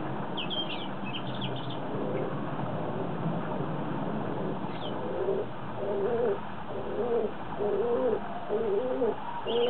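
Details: Pet doves described as having fallen in love give a run of low, soft coos, a quick burst of rolling notes after a quiet start, with faint high chirps early on and steady background hiss.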